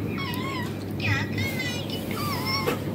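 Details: Pet green rose-ringed parakeet talking along with a mobile phone: wavering, harmonic, voice-like notes that slide down and up in short phrases over a steady background hum.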